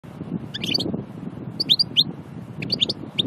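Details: European goldfinch from Annaba, Aïn Barbar, Algeria, described as a pure natural singer: a few short bursts of high, sharp twittering notes with gaps between phrases, over a low background rumble.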